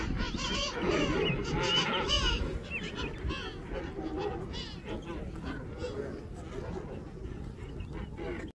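A colony of King penguins gives overlapping brassy, warbling trumpet calls that rise and fall, loudest in the first two seconds, over a steady low rumble.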